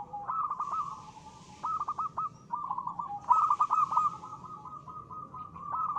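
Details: Local zebra dove singing briskly, its crisp song meant to prompt other birds to answer. Mid-pitched cooing notes come in rapid staccato runs that run into a rolling, purring trill. Two main bursts, with a soft hiss behind.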